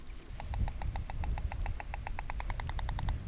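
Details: Close view of a wild white stork clattering its bill in the Lower Oder Valley National Park floodplain, Uckermark, Germany: a fast, even rattle of dry wooden knocks, speeding slightly, lasting about three seconds, with low wind rumble beneath.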